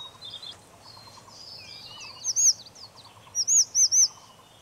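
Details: Red-breasted flycatcher recorded at Shimen Reservoir: high, thin, looping chirps, a single note followed by a quick run of three to four similar notes, standing out over a low, steady background hum.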